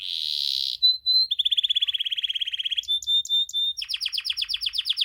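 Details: Varied canary song from a white and a crested pet canary: a buzzy held note, two pure whistles, a long fast even trill, more clear whistles, then a rapid stuttering series of sharp notes, all bright and high.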